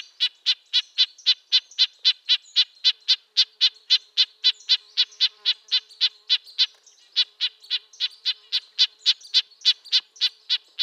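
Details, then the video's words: A red-breasted nuthatch repeats short, high, nasal toots in a long even run of nearly four per second, with one short gap partway through. "Red-breasted nuthatch sounds, Sounds of the Canadian Nuthatch"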